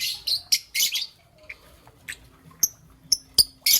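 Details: Young peach-faced lovebird, green and yellow, in the morning: sharp, high chirps in irregular bursts, some short and clipped, others longer and harsh, with a few quieter notes between them.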